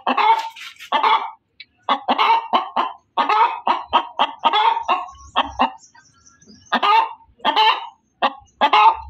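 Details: Hen cackling loudly, fast strings of rough clucks broken by a couple of brief silences, with a soft low rumble partway through.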